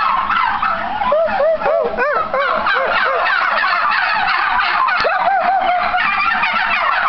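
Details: Several turkeys gobble back in response to people talking to them, showing how interactive they are: a dense, loud chorus of rapid bubbling gobbles overlapping throughout, with repeated bursts answering one after another.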